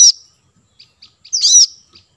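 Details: Plain-throated sunbird, known locally as kolibri kelapa or manggar, used as lure audio to draw wild birds: a sharp high chirp, a few faint ticking notes, then a longer bright warbled note with a soft trailing tick, over a silent background.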